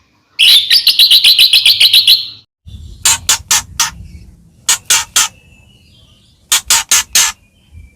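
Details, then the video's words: White-rumped shama (murai batu) sound for provoking other shamas: a fast even burst of about fifteen buzzy notes, then groups of sharp harsh clicks with pauses between. "murai batu gacor AMPUH buat PANCINGAN murai batu agar bunyi"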